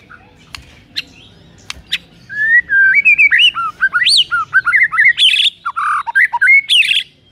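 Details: Morning White-rumped shama song meant to stir a rival shama to sing: after faint ticks, a rising stepped whistle leads into varied looping, swooping notes with harsh buzzy bursts mixed in.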